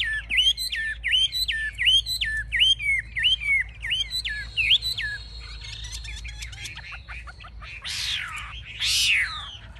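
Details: Caged Chinese hwamei displaying with wings raised and tail fanned, a fierce fighting bird: a run of loud whistled phrases, each dropping then rising, repeated about twice a second, then harsher buzzy notes and two rasping bursts.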